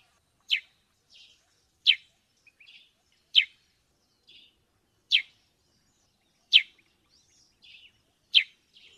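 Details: Sparrow from Africa: loud sharp downward chirps every second and a half, each followed by softer twittering notes in between.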